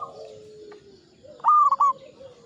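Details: A seasoned local perkutut (zebra dove) gives one short, loud trilled coo phrase after a near-silent start. Faint lower cooing from other birds is heard.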